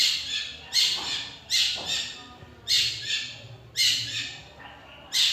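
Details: Long-tailed shrike, known for mimicking other birds' songs, giving loud grating, rasping bursts repeated about once a second, with faint softer notes between them.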